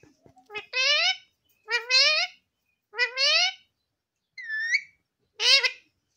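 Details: A pet Alexandrine parakeet repeats a taught speech-like word, 'mummy', five times in about five seconds, each a short, nasal, slightly rising phrase with quiet pauses.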